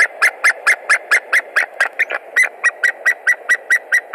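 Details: Male White-tailed Eagle at its nest in Latvia on 20 March 2021, calling a lot, perhaps at a stranger eagle, while tending eggs. He gives a rapid, steady series of sharp yelping notes, about five per second, for the whole stretch.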